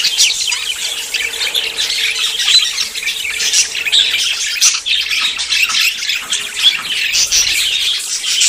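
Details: Several budgerigars in courtship, about to breed, keep up a busy stream of scratchy warbles, short chirps and squawky notes layered over one another.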